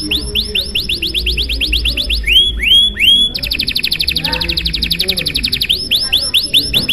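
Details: Canary, long luxurious-style 'gacor' song for triggering other canaries to join in: upswept whistled notes in series, three slower looping swoops, then a fast dense trill and more rising sweeps.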